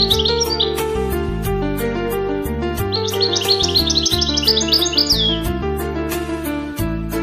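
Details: European goldfinch kept by hobbyists of a goldfinch association in Marrakech, Morocco, singing rapid twittering, tinkling phrases with quick slurred high notes over loud background music with steady piano-like chords.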